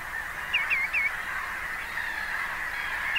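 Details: Common greenshank giving three quick, clear, downward-slurred whistled notes in a tight series, then one more similar note at the very end, over a steady, even background hiss.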